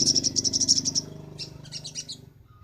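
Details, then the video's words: Sunbird song used as a master recording for training songbirds: a fast string of high sharp chirps for about a second, then a brief pause and a scratchy twittering burst, over a faint low hum. "Masteran sogok ontong paling ampuh - sogon gacor nembak"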